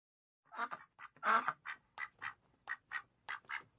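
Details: A duck gives a quick series of short nasal quacks, one louder drawn-out quack near the start, then evenly spaced clipped quacks about every third of a second.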